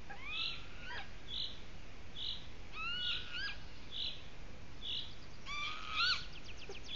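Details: At the nest a golden eagle brings another twig, uttering rising whistled calls in short pairs, clearest near the middle and end, over a steady pulse of high notes from another bird nearby.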